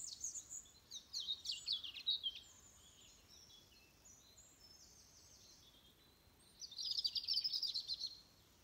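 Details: Morning birdsong at dawn on 22 November 2020 at 06:45, with Venus still visible: high chirping and twittering phrases in short bursts at the start, a pause, then a dense twittering burst near the end, over a faint background hiss.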